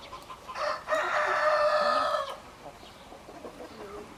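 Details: Rooster giving a single strong crow of about one and a half seconds. Bright and harmonic, it starts with a short rising note and ends abruptly. Soft clucking and faint background noise surround it.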